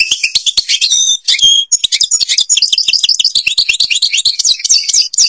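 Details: Continuous high, lively European goldfinch song from Algeria, a flowing stream of quick chirps, liquid trills and slurred whistles with hardly any break.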